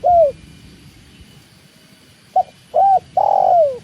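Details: Spotted dove, locally called tekukur, heard in a slow-living setting with running water: a short cooing note, a pause, then three more coos in quick succession, the last one long and falling; faint low water rush beneath.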